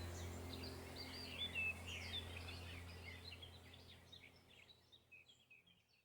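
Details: Wild birds chirping in a forest: soft, high, scattered chirps and short twitters, several quick notes per second, fading toward the end, over a steady low hum and faint background noise.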